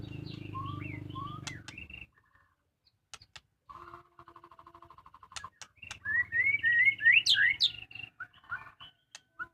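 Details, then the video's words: Household caged white-rumped shama giving short whistled phrases, then a fast series of ticking notes, followed by an energetic run of loud, varied rising and falling whistles; a low hum is heard early on. "suara merdu burung muray batu rumahan"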